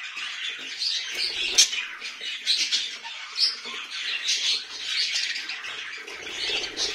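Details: Parrot chattering nonstop indoors, a dense stream of harsh squawks, clicks and warbling high notes with short louder bursts throughout.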